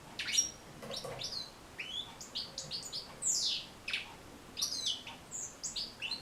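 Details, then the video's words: European goldfinch song for teaching and encouraging goldfinches to sing: lively high twitters, buzzy trills and a sharply sweeping note in steady bursts, each lasting about half a second. "بتبتة جد مهمة لتحفيظ و تحفيز طيور الحسون على التغريذ"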